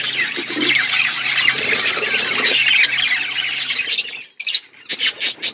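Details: Budgie flock eating winter food in Asia; intense shrill squawking chatter for four seconds over a low hum, ending in a pause and a few separate loud chirps.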